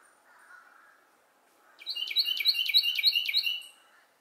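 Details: A Carolina wren sings at Glebe Park, Siesta Key, Florida, belting out a loud, rolling run of rich two-part phrases, about five quick repeats in two seconds, over faint background hiss.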